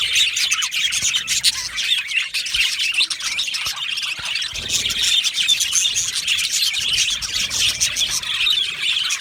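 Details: An aviary colony of yellow male budgerigars, Australian parakeets, producing nonstop high twittering and scratchy warbled chirps from many birds at once, a slightly softer, even chorus with faint low knocks underneath.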